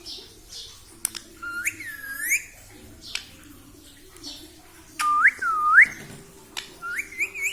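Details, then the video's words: Pet parrot indoors imitating human speech, said to talk 'mummy papa'; clear whistled syllables sweep upward then fall, in short phrases about three seconds apart, over a low room hum. "parrot talking mummy papa"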